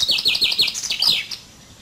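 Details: Part of a common chaffinch song, a series of loud swooping downslurred notes repeated rapidly, followed by a brief higher flourish and a short final note.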